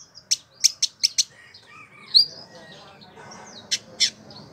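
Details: Sharp, high clicking chips in a quick run of five, a short upslurred whistle, then two more spaced chips: song of a Village indigobird kept for a year as a tutor bird, Bandung, West Java, Indonesia.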